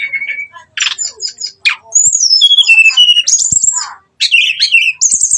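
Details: Lively brown-chested jungle flycatcher lure song, with ngeplong and nembak styles, used to anger rival birds: steady whistled notes, stepped descending phrases and sharp high slurs, with brief pauses between phrases.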